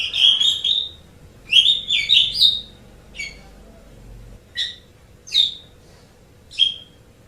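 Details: Asian pied starling, tutor recording for pet songbirds, giving slurred whistled phrases and harsh chatter, then single sharp squeaky notes spaced about a second apart, with a low hum in the background.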